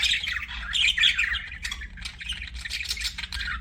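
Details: Budgies kept as pets chirp in rapid scratchy bursts, about four notes a second, with a louder warbled phrase near the start, over a faint hum.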